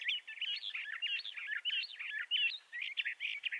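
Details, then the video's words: Continuous warbled song of a Bendire's thrasher, native to the southwestern United States and northwestern Mexico: fast, jumbled, slurred phrases running together in a sweet, scratchy stream with brief gaps, little background noise. "Bendire's Thrasher Bird Song"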